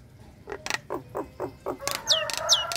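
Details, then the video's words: Female Nias hill myna in breeding condition, calling the male with a ngekek chatter: a run of six short descending notes about a quarter-second apart, then sharp high whistled downslurs. "Tembakan Jalak Nias Ngekek Bikin Ngiler Kicau Mania"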